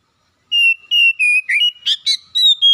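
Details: Oriental magpie-robin lure song played to stir a reluctant bird into singing: a run of clear, steady whistled notes, some level and some sliding, given about three per second with brief gaps, ending in higher rising whistles.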